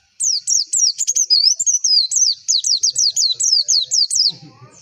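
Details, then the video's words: White-eye song aimed at pushing contest birds to sing: a long chain of shrill, high chirps falling in pitch, broken midway by a few twittering level notes, followed by faint low murmuring at the end. "PANCINGAN PLECI AGAR CEPET BUKA PARUH"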